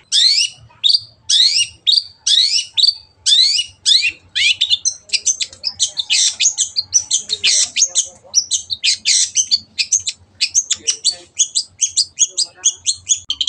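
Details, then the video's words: Long-tailed shrike in vigorous gacor song, offered as a clear tutor recording for other birds to copy: a fast run of harsh, high chattering bursts, first in evenly spaced clusters, then merging into a dense twittering stream with shrill squeaky notes. "MASTERAN BURUNG CENDET GACOR JADIKAN BURUNG KESAYANGAN ANDA SEMAKIN GACOR DENGAN SUARA JERNIH"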